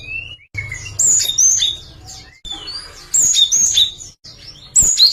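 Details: Java sparrow singing a song variation: soft rising whistles alternate with three bursts of bright, high, ringing chirps, spaced about two seconds apart.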